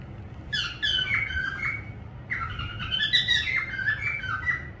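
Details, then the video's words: Parrot-like whistled and squawky phrases in two groups, the notes bending and overlapping, over a noticeable low background rumble. "parrot sound whistling"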